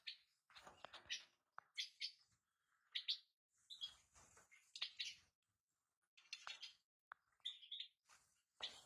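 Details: Lively twittering from European goldfinch: clusters of sharp, high chirps and tinkling notes arrive in bursts. Short pauses fall between the bursts, and clicks and rustles are mixed in.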